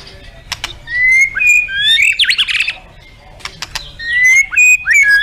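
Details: White-rumped shama, kept for song contests, delivering clear whistled phrases with a harsh burbling burst in the middle, then a quiet gap before fresh sharp clicks and smooth gliding whistles resume.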